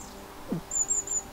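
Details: Long-tailed tits arriving in an English wildlife pond garden in August 2020, chirping in thin, very high, slightly trilled calls. The calls come in a quick run of three or so notes, with a brief low thump below.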